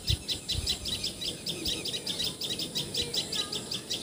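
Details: In Assam, India, a common tailorbird gives quick, piercing chirps in a steady series, roughly two and a half notes each second, over soft rural background noise.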